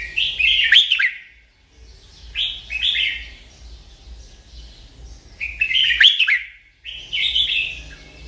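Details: Merbah lekir bulbul sings loud, fluty gurgling phrases, four bursts of rapid tumbling notes separated by short silences, clean and close.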